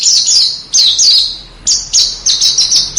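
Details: Small songbird, master recording used to train contest cage birds: loud high whistled phrases, each a sharp note sliding downward, repeated in bursts about every half second.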